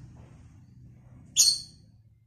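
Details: One short, ringing lovebird shriek with layered high tones, against a low background rumble, from a lovebird in vocal training.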